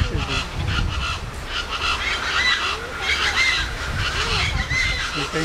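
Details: Harsh, honking chachalaca calls at Quinta Mazatlan, McAllen, in Texas's Rio Grande Valley, rasping in overlapping bursts, with thin whistled notes from other birds laid over the top and some background rumble.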